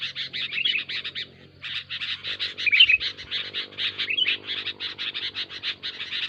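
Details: Sooty-headed bulbul giving noisy, rapid chattering: pulsed harsh notes in quick runs, a short pause early on, a bright whistled slur midway, and a faint steady hum beneath.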